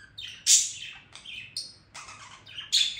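A budgerigar warbles in quick, scratchy chirps and high squeaky notes, bursts coming every half second or so, with no other sounds.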